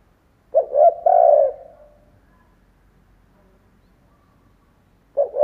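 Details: Spotted dove decoy cooing to lure wild doves: one full low phrase of two quick coos and a long trailing coo, a long quiet pause, then the next phrase beginning at the very end.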